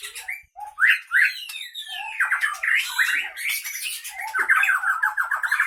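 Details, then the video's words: Caged Aceh Leuser white-rumped shama from Pining, Gayo Lues, Aceh, in fighting mood; sharp rising whistles and sweeping slurs followed by fast rattling trills and chatter, bold and varied. "Murai batu Aceh Leuser Pining CBF ACEH Tempur di kandang"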